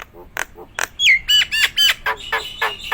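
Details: Nias hill myna in singing form gives harsh nasal squawks and ringing whistled notes, some slurring down, interspersed with short scratchy bursts at a steady chattering pace.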